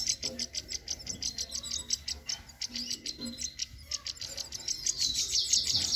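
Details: Male and female European goldfinches sing a rapid, tinkling run of high chirps and twitters, about three notes a second, with a faint steady hiss behind.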